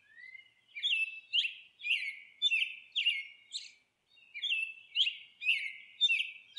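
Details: Monk parakeet at the nest, a rising whistled note followed by a long series of harsh, buzzy chatter calls about two per second, a brief gap midway, then the raspy series resumes.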